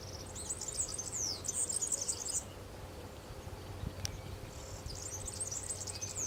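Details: European serin singing in the wild at Santo Tomás, Zamudio, Bizkaia, 6 May 2018; two bursts of high, sizzling, tinkling trills with quick slurred notes, separated by a pause, over faint background hiss.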